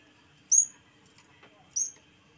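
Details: Yellow-bellied warbler (cikrak bambu) singing in a lively way: a pair of high, thin, falling notes about a second apart, with faint low hum behind.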